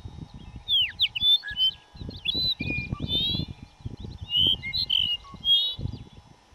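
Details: Dupont's lark at Duratón Gorge, Spain, in May 2005, giving thin, high whistled notes, some sliding steeply downward, others flat and nasal, in short bursts, over gusty low wind rumble.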